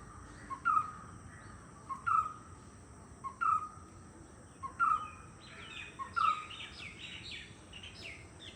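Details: A white-cheeked barbet (Chinna Kutturuvan) repeats its call, five clear, evenly spaced notes about every 1.4 seconds, each with a sharp onset and fading tail, while another bird chirps higher near the end.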